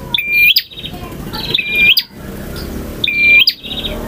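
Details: Three bright phrases from a male bar-winged prinia singing full variation: a brief pip, a level whistle, then a quick rising snap and rattling buzz, spaced about one and a half seconds apart.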